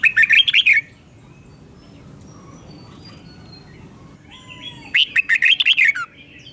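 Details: Red-whiskered bulbul kept as a cage bird, giving its doubled song for young birds to learn. Two bright, fluttering phrases of rapid warbled notes, one at the start and one near the end, separated by a quiet gap with faint tones.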